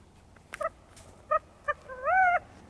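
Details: California Quail, the California state bird, at Crystal Cove State Park, with a male shown in a tree, gives its gathering call: three short clipped notes, then a louder drawn-out swelling, slurred note, the familiar 'chi-ca-go'.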